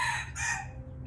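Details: Indian red junglefowl: a short, loud, harmonic crowing burst, strongest at the start, then a second rise before fading. A steady low hum sits underneath.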